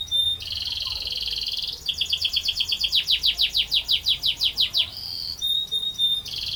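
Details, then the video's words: Canary in gacor form singing a long rolling phrase. A level buzzy trill gives way to a rapid series of slurred whistles. The same flat buzzing trill returns at the end. "Burung Kenari Gacor Ngerol Panjang"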